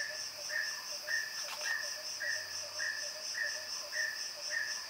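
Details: Repeated brief mid-pitched notes from a mountain peacock-pheasant, evenly spaced about every 0.6 seconds, with a constant high-pitched insect chorus behind them.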